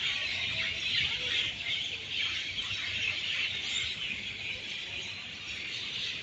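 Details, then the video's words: Crowd of birds high in a tree in Singapore in the evening, calling without pause; steady dense wash of high chirps and squeaks, little variation. "Pakinggan nyo guys ang huni ng mga ibon. Napakadami. Napakaingay nila."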